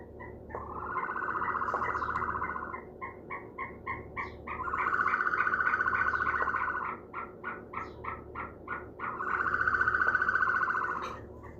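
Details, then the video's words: A one-day-old ostrich chick gives three long, trilled, mid-pitched whirrs, each about two seconds, separated by runs of short quick peeps, three or four a second. "The sound of an ostrich chick one-day.."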